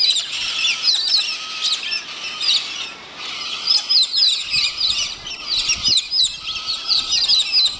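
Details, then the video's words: A noisy flock of galahs (rose-pink cockatoos) at Lakes Entrance keeps up a constant overlapping chatter of harsh, high screeches, several calls every second, with no gap in the noise. "Lawaaiige roze papegaaien"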